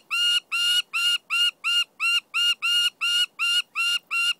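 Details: Captive-reared peregrine falcon calling while covering its food: a steady run of harsh, rasping, high notes, about three each second, with no other sounds.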